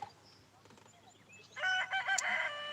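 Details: Several roosters crow on a sunny morning on a farm, with a turkey gobbling nearby; one gives a loud, harmonic, drawn-out crow of about a second after a quiet stretch with faint background noise.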